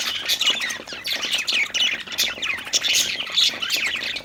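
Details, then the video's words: Playful, happy budgerigars keep up steady chirping: overlapping warbles, squeaky notes and rapid chatter, with sharp clicks scattered through. "budgie chirping sounds|happy budgies playing|cute budgie sound"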